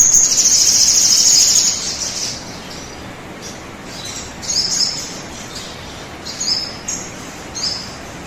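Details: Sogon bird song, used as a lure recording to get a bird singing quickly: a very high, thin, rapid trill lasting under two seconds, then scattered short, sharp high chirps at irregular intervals over a quiet hissy background.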